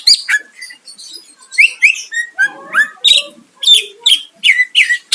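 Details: Greater green leafbird singing to provoke a rival: a brisk string of downslurred whistles and bright chirps, evenly spaced bursts roughly every half second, some lower warbled notes mixed in.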